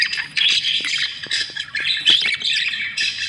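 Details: A group of budgies at feeding time, with continuous overlapping high chirps, squawks and warbling chatter and no pauses.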